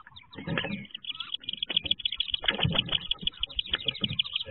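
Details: Wood duck ducklings in a nest box, jump day 2023, giving a steady stream of shrill high peeps while loud scuffling, scratching and thumps of movement sound inside the box.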